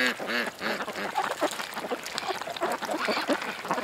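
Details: Ducks by a creek give rounded, arching quacks in quick succession, joined by overlapping calls from other birds in the flock and a constant hiss.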